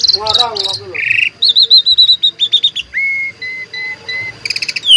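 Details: Tame, free-flying Asian pied starling in full song with mimicked phrases, a rapid, varied medley of bright whistles, buzzy chatters and clipped notes.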